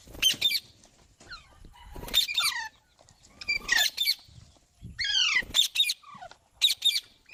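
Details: Green parrot letting out harsh, broadband screeches in short bursts about once a second, mixed with falling squeaky notes, separated by quiet gaps.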